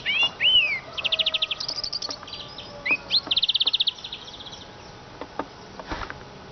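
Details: A rising whistled note opens this siskin song, followed by fast, even trills of high chips and a second rising slur, ending in sparse clicks.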